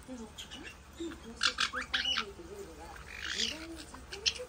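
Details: White-bellied parrots kept as pets squabble playfully in a wrestling bout; rough grating squawks rise in clusters over steady human speech.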